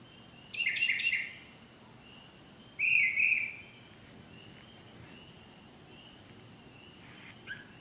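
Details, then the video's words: Bird returning at night to sing what is described as love songs; two brief slurred whistled phrases about two seconds apart, with faint softer notes in between and steady low background hiss. "Bird pt 2"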